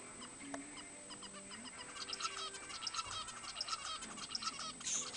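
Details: Zebra finches, recorded around 2 March 2010, give short, nasal, trumpet-like beeps, several birds overlapping in a busy, quickening chatter, with a faint low tonal hum early on.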